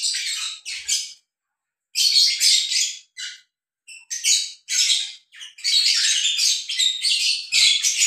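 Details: Breeding lovebird pair mating; rapid, rasping chatter comes in bursts of one to two seconds, with brief silences between them and a longer run of squawks at the end.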